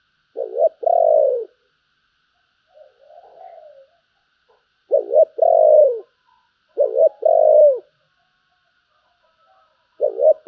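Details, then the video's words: Spotted dove cooing in the "giọng thổ" style with a "Bầu" voice: deep, mellow phrases of a few quick notes and a longer drawn-out coo, repeated about every two seconds against a quiet background. "cu gáy giọng thổ, Bầu nghe rất hay"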